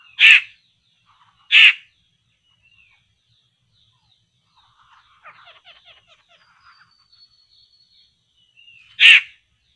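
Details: Poksay laughingthrush at a trapping spot: two harsh, rasping bursts close together, then a quiet stretch of soft chattering notes, and a third loud rasp near the end.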